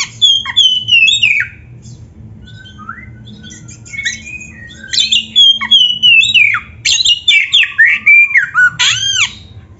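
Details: Oriental magpie-robin song used as training audio for young or quiet birds: bursts of clear whistled notes sliding downward, with buzzy rasps and sharp upswept phrases, separated by brief pauses, over a faint low hum.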